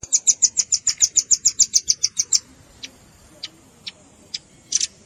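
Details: Lure recording of velvet-fronted nuthatch mixed with juvenile calls: a fast, steady volley of about fifteen piercing high chips for two seconds, followed by sparse single chips and a final burst.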